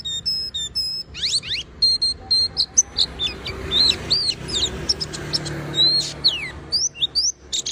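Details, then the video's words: Oriental white-eye in full gacor song, repeated thin whistled notes giving way to a jumbled, fast medley of high sweeping chirps and twitters. "pleci berbunyi tiada henti DIJAMIN burung pleci lainya pasti ikutan berbunyi GACOR"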